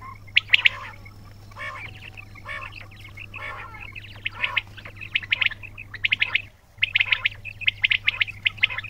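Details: Quails utter buzzy, harsh notes and bright high chirps in an uneven stream, with a short quiet gap before a louder run of rapid squeaky calls near the end; low hum underneath.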